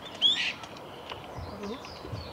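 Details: A Brown-eared Bulbul at Gongenyama Bird Sanctuary, 14 April 2019, gives one brief, sharp, high squeal that slides downward, followed by faint, quiet background sounds.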